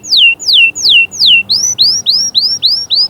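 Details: Canary delivering a tour meant to motivate chicks and females: four loud slow downslurred whistles, then a quicker run of rising upslurred notes, clean and prominent.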